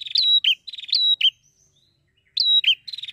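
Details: Prinia in busy song, used to get other prinias singing; fast buzzy rattles and whistled upslurred notes in two short bursts, a faint thin whistle in the pause between.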